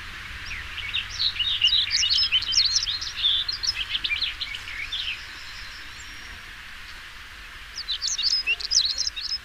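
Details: European stonechat song: a rapid, scratchy warble of short high notes, delivered in a dense burst for about five seconds, a pause, then a second shorter phrase; faint low background rumble.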